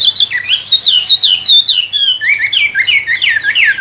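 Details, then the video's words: A wambe bird with a magpie-robin-like voice sings for songbird tutoring: fast warbled whistles and chattering notes, a brief pause, then bright downward-sweeping slurs over a faint hum. "burung wambe rasa murai.. pancingan joss buat masteran kicau"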